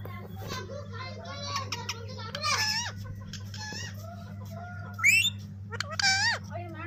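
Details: A lemon-yellow pet parrot mimics Urdu and Hindi speech: a run of raspy, syllable-like squawks and whistly slurred notes, with sharper bursts after five seconds and a constant low hum underneath.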